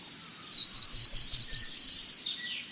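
A Yellowhammer gives six quick, high, dry notes, then one long, thin, drawn-out note that slurs downward at the end.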